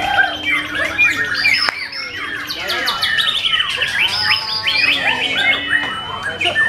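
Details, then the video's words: White-rumped shama singing in a caged competition, pouring out sharp high whistles, buzzy trills and quick chirps, with other birds and distant voices in the background. "AKSI MURAI BATU"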